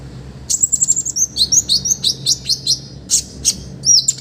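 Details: Olive-backed sunbird singing actively, a master recording of rich song phrases for training other birds: a rapid run of thin, high, sharp chips, then spaced bright notes and a final rising, whistled trill.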